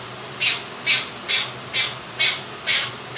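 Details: Pet Quaker parrot, two years old, indoors, giving his rendition of 'If You're Happy and You Know It' with a do-do-do tune. Six short, harsh, evenly spaced notes, about two per second, above constant fan noise.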